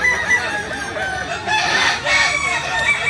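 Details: Kukuak Balenggek rooster, a native chicken breed of Solok, West Sumatra, crowing in a noisy, harmonic-rich burst with a rough, strained tone, over a busy background.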